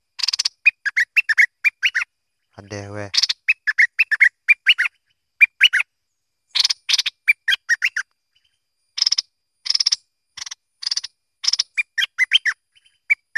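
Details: Long sequence from a merbah lekir or kuning bulbul of lively chirps, whistled notes and buzzy bursts, with one brief low wavering sound near the start.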